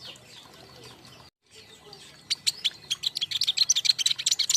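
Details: Lure and master sound of king konin for young birds, from a group: quiet murmuring at first, then a quickening series of sharp high chips, about three to four per second, growing louder.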